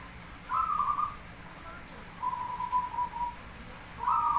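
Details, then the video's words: Zebra dove of Javanese stock in lively song, used as a lure: three soft, rolling coo phrases, the middle one thinner and quieter and the last cut short at the end, over steady low hiss. "Suara Jumlah Ketukan perkutut pandai burung Paling Gacor | Merbok perkutut Jawa Pancingan Gacor"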